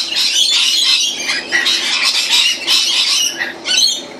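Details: A sudden, unusually large influx of rainbow lorikeets keeps up a dense, continuous chorus of harsh, high screeches and shrill chatter, overlapping throughout; recorded 04/04/16.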